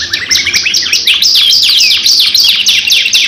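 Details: Two canaries in an energetic, long lure song, a rapid series of bright, steeply falling whistled notes, several each second, tightly packed.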